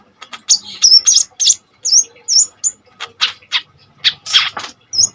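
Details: Lively Common iora singing hard in a 'tembakan' style to tutor and provoke kolibri ninja birds: rapid high chips and bright upslurred whistles in uneven bursts, with a faint background hum.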